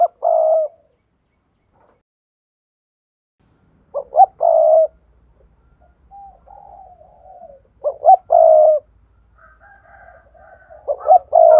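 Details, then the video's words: Spotted dove urging coo used for exciting decoy birds: three-part phrases of two short hoots and a longer coo, spaced several seconds apart, with softer murmuring coos between and a faint low rumble underneath. "Tiếng chim cu gáy thúc gù sung"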